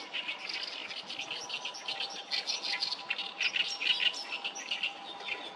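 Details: Many oriental reed warblers at the Sawatari River, 7 June 2024, give loud, raspy chattering song in quick stuttering runs, with a few brighter squeaky notes standing out near the end.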